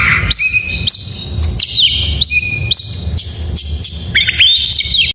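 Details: Oriental magpie-robin singing in the morning: clear high whistled notes in rhythmic phrases roughly every half second, level whistles with sharp upward flicks, ending in a rapid rising and falling flourish.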